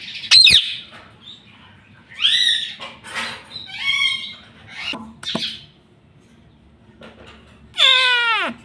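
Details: Talking pet parrot indoors: a sudden harsh squawk opens, followed by scratchy mid-pitched chatter and clicks, a silent gap, then a long loud descending screech to close.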